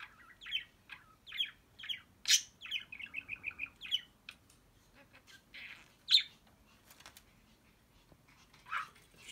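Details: Pet budgerigar that mimics the family dog and talks to itself: a string of short chirpy notes, then a fast stutter of clipped squeaks, followed by scattered sharp clicks and chirps with gaps between them.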